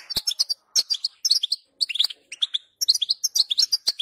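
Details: European goldfinch in the wild giving quick, liquid twittering song, high chirps tumbling in short bursts separated by tiny pauses, with sharp clicks between.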